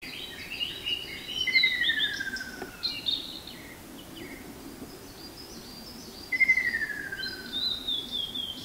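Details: Ruddy kingfisher (Halcyon coromanda), heard but not seen in Hiroshima, Japan, on 28 May 2021, giving two slow, descending rolling trills about five seconds apart, with thin high chirps from other birds throughout.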